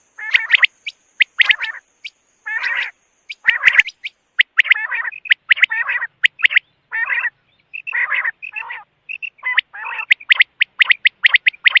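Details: Several quail-like harsh chattering calls follow one another closely, broken by sharp high clicks, with a faint steady high whine running through the first part.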